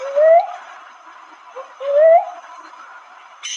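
A cuckoo-dove gives low, rising whooped notes, a slurred pair about a second and a half apart, over a faint steady background hiss.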